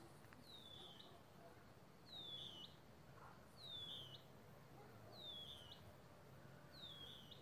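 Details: Band-winged nightjar (Caprimulgus longirostris) at Reserva Ecológica Plottier, Argentina, giving high, thin, slurred whistles, each dropping then flicking up, repeated about every one and a half seconds over a low background hum; finding: Band-winged nightjar.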